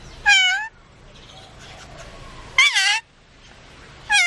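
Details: Parrot said to answer sneezing with 'bless you'; three loud, harmonic, voice-like bursts, each under half a second, spaced about two seconds apart over a faint low room hum.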